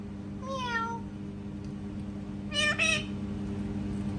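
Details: Parrot imitating cat sounds: a drawn-out, falling meow-like note, then after a pause a louder, rougher double mew. A steady low electrical hum runs underneath throughout.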